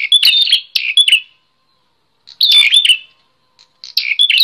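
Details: Bar-winged prinia singing actively, a recording meant for tutoring and stimulating other songbirds: two bursts of sharp, high chirping notes with bright whistled strokes, separated by a silent pause of about a second.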